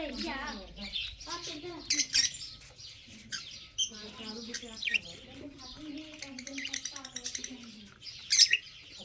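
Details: Budgerigars kept for breeding, recorded March 15, 2024: busy chattering with quick high chirps and scratchy notes scattered throughout, over a lower warbling, voice-like murmur.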